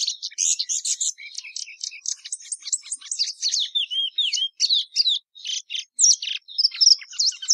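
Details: A plumbeous seedeater sings a rich, fast medley of chips, trills and curving slurred whistles, some notes sweeping down then up, continuous for over seven seconds.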